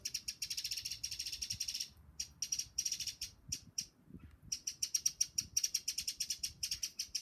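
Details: Eurasian wren singing: loud, rapid, high-pitched trills and chattering notes, pouring out in fast runs with a short pause midway, then resuming just as vigorously, with low rumbling background noise.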